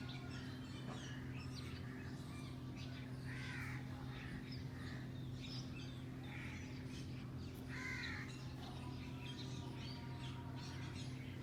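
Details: Pet Alexandrine parakeet playing on a cage with a green ringneck gives harsh, raspy squawks every second or two over a steady low mechanical hum, with a few softer chatters between.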